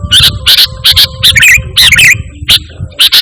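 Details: Lively sooty-headed bulbul song, free of imitated notes, offered as a lure and tutor for caged birds: paired sharp chips alternating with short slurred, warbling phrases, over a low rumble.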